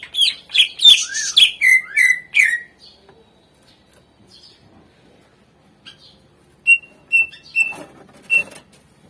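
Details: Greater green leafbird song used to prompt lazy birds to sing: rapid loud downward-sweeping notes for two seconds, a pause, then several short, clear, evenly spaced whistles.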